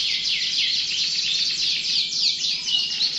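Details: Continuous canary singing: busy overlapping high trills and downward slurs with a few clear whistled notes rising out of the dense chorus.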